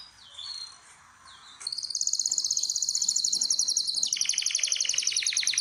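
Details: Breeding-room canary song: soft swooping notes at first, then a sudden loud, very rapid pulsed trill that carries on, dropping to a slightly lower, rhythmic roll.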